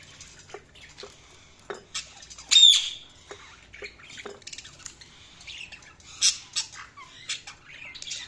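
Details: Pet budgies chattering in short, scattered high chirps and clicks, with one loud rising squawk early on and a few sharp notes toward the end over a low background hum.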